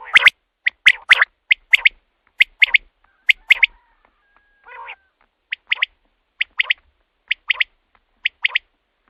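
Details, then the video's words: Common quail call used at night to lure quail for hunting: short sharp notes in quick clusters of two or three, repeated about once a second, with a brief pause midway. "batair ki awaz raat k liye | quail calling | رات کے لیے بہت ہی اچھی آواز"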